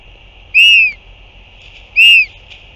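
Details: Northern royal albatross at the nest on 8 June 2023, a parent returning to feed its chick: two clear, slightly arched whistled notes, each about a third of a second, spaced roughly 1.4 seconds apart over a steady background hum.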